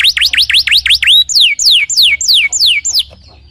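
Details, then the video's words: Singing canary, used as a lure to make another canary answer: a rapid series of clear, whistled notes, each sliding steeply downward. The notes repeat about three times a second, first quick and tight, then slower and longer, before stopping. "PANCINGAN SUARA BURUNG KENARI GACOR LANGSUNG NYAUT!!"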